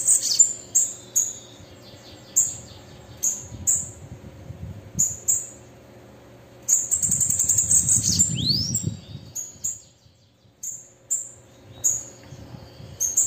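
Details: A calling and singing female bananaquit gives series of high sharp chips, a fast bright trill and a brief downward swish, then more chips. A low rumble sounds in the background.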